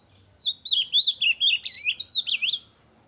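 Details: Loud ultramarine grosbeak song meant to encourage other birds to sing, a rapid run of rich, looping whistled notes rising and falling for just over two seconds before stopping abruptly.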